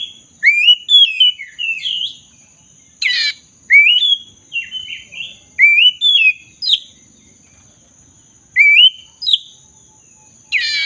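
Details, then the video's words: Black-throated magpie-robin, a prolific singer serving as a lure to revive birds that have stopped singing, repeating rising, wavering whistled phrases with sharp scratchy bursts between, against a constant high-pitched tone. "Pancingan kacer dada hitam gacor - pulihkan kacer macet bunyi"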